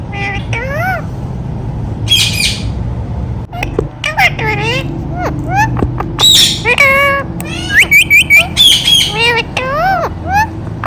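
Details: Talking Indian ringneck parakeet: a busy run of rising and falling, warbled voice-like phrases, broken by sharp high squawks and clicks. A low hum runs underneath.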